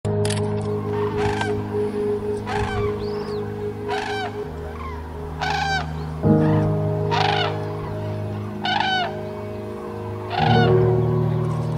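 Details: Migrating cranes in flight, giving loud trumpeting, rolling calls repeated roughly every second, several birds overlapping, over a steady sustained musical drone.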